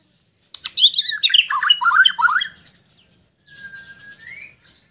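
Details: Sabah White-rumped shama, a Bornean songbird singing at ease: a rapid two-second burst of loud, varied warbles and chattering notes, then a pause and a softer passage ending in a long rising whistle.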